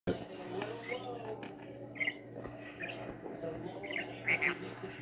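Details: A male pet budgerigar playing with his favourite light switch indoors gives short, scratchy chirps and squeaks over a steady low indoor hum.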